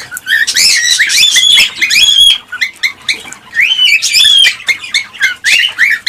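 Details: Cockatiels calling, a sound meant to stimulate mating and breeding. Loud rising whistled notes with bright overtones come in quick overlapping bursts from several birds, with short pauses between the busy stretches.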